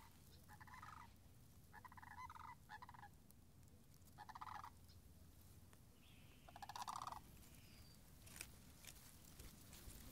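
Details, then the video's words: Sandhill cranes near a marsh and wetland on 26 March 2019, puddles still frozen: rolling, rattling bugle calls in four bursts of about half a second each, with low steady rumble beneath. "Wetland Marsh Audio - Sandhill Cranes - Short"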